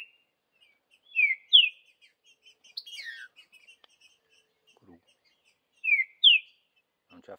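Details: A green-winged saltator in the bush gives loud, clear whistled phrases, a falling note then a rising one. The phrase comes twice, about five seconds apart, with a brief warbled burst between.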